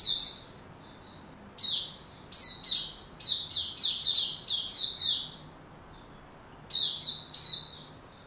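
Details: Captive White-rumped shama, 27 December 2021, warming up into singing form, gives a run of short, bright, high whistled phrases. Most phrases fall in pitch, some come in quick pairs, and there is a brief gap before the last two.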